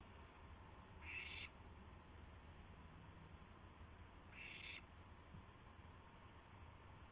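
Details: Owl calling at 12:25 AM on April 7, 2016, during a gopher delivery: two harsh, hissing bursts about half a second long, roughly three seconds apart, over a steady low rumble.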